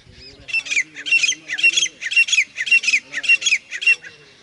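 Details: Grey francolin calling in a loud series of seven harsh, grating bursts, about two per second in a steady rhythm, with a faint low human voice beneath.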